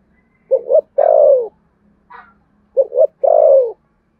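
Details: Two matched phrases of spotted dove fighting coos in the Sấm Thổ style: a short double hoot, then a rich drawn-out descending coo. A brief faint note sounds between them over a soft low hum.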